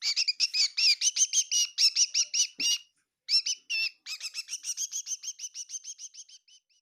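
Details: Indoor kitchen bird at Tseminyu, Kohima giving a fast, nearly continuous stream of bright, high chirps, broken by a brief gap of about a second, then a steady, evenly spaced series that slowly fades.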